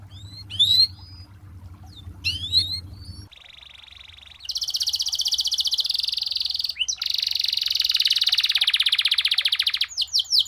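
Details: Canary song for tutoring, in the long-roll style with unique phrasing: sparse sharp chirps over a low hum, a steady mid-pitched tone, then a loud sustained rapid roll, broken briefly, ending in quick upward sweeps.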